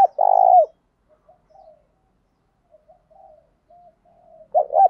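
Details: Caged decoy spotted dove cooing for daily training in 'thúc gáy' style: a loud sustained throbbing coo at the start, soft scattered murmurs in between, and another loud coo beginning at the very end.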